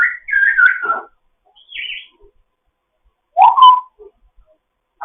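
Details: Foster African grey parrot chatting in the morning: a burst of varied squawky, slurred notes sliding downward, a short higher buzzy note, then after a pause a rising warble and a clipped final call, with silence between phrases.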